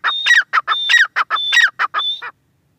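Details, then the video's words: Short grey francolin sequence: four rapid phrases of rasping syllables, each led by a high thin whistle, fading to silence after two seconds. "gray francolin teetar voice"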